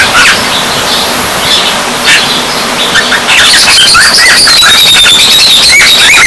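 A young cockatiel practises whistling, with thin wavering notes over a hissy background of chirps.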